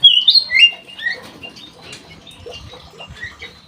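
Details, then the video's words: Caged Black-headed bulbul in an aviary opening with a few loud, clear rising and falling whistles, then softer spaced notes with faint rustling. "KUTILANG EMAS GACOR"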